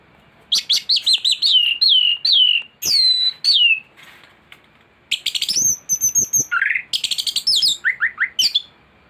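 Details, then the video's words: Thrush song, a master recording for tutoring birds: a long, varied stream of rapid looping whistles and chirps, sharp downslurred notes, buzzy trills and lower slurred phrases, with almost no pauses. "Anis gacor teler isian komplit materi masteran burung anis pancingan bunyi"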